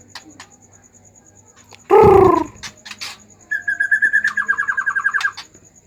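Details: Agitated White-rumped shama, its voice meant to stimulate other shamas to sing: after a loud, low, harsh burst, a steady trill of rapidly repeated mid-pitched notes lasting about two seconds.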